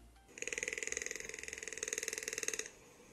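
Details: A rainforest toucan, in one of its two different calls, gives a fast, dry, croaking rattle of about a dozen harsh clicks a second, held steady for a little over two seconds.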